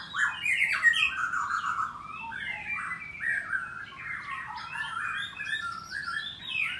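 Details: A white-rumped shama at a Bogor breeding aviary sings in the morning: a quick jumble of whistles and chattering notes opening loudly, then softer rambling warbles and short slurred phrases.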